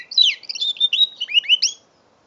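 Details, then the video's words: Short burst of song from a five-month-old mule canary: a fast sequence of high chirped notes and slurred whistles lasting under two seconds, ending in quiet; recorded November 2011 with a phone. "My 5 months old mule canary"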